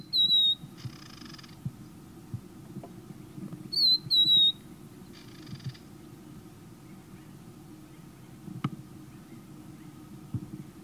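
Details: A confiding Rufous-naped Lark in southern Africa, singing from song posts such as a fence pole, gives a clear, high, falling whistle, then a short dry buzzy rattle, twice about four seconds apart, over a low steady hum.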